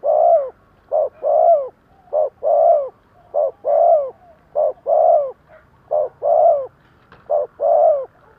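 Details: Spotted dove decoy in thúc gù cooing to draw in wild doves: a steady run of seven paired coos, a brief note then a longer rounded one, about one pair per second over faint background noise.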